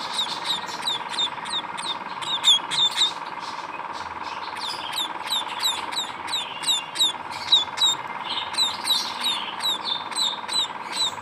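Munia chicks give thin, high, overlapping chirps, about three a second, over a steady mid-pitched hum.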